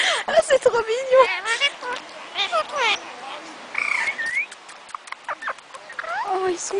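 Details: Parrots talking together and kissing: a busy run of varied squawks, warbling modulated notes and chattering sounds with rapid pitch sweeps.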